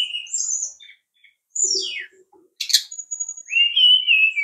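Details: Brown-chested jungle flycatcher singing a varied run of high whistles, descending slurred notes and a sharp buzzy burst, ending in a sustained warbled whistle, with faint low knocks.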